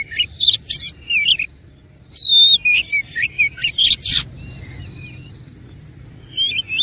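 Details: Oriental magpie-robin singing while fighting, with loud whistles, twisting slurred notes and rasping bursts in quick succession, then a pause and a faint, thin whistle before a final short phrase.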